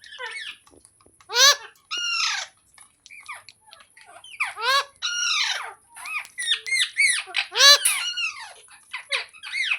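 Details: Green parrot producing varied squeaky, down-curving notes and loud harsh squawks, irregularly spaced with short pauses between bursts.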